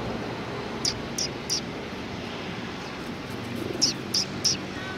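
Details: Sparrows recorded on 10 March 2019: two quick bursts of three short, high, sharp chirps each, the bursts about three seconds apart, over a steady low background rumble.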